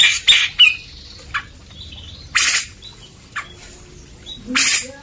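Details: Vigorously singing grey-cheeked bulbul, a tutor recording for white-rumped shamas: a few scattered harsh rasping blasts and short whistled slurs separated by quiet gaps of about a second.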